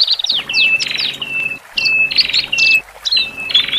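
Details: Male and female Horsfield's bush larks singing, used to calm newly separated birds in a cage; short bursts of buzzy rasping notes followed by level whistles, falling slurred chirps, brief pauses between phrases, low hum in background.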